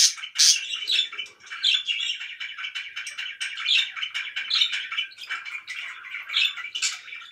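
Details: Pet budgerigars chirping loudly: dense, overlapping chatter of short warbled and scratchy notes, with sharper high chirps standing out near the start and every second or so after.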